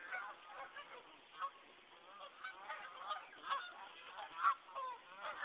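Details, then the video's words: Geese calling on a brook in West Concord, Massachusetts, in a January snowstorm: a busy run of nasal honks, roughly one a second, several birds overlapping, over a soft background hiss. "Geese on the Nashoba Brook in a snowstorm"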